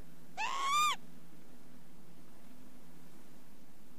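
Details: Northern lapwing calling once, a short wheezy note that climbs steadily in pitch with bright overtones, followed by quiet with only a steady low hum.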